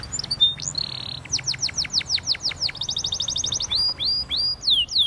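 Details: Song of a Spanish timbrado canary for training: short notes, a buzzy flat roll, a row of falling whistled sweeps, an even rapid trill, then rising slurred whistles.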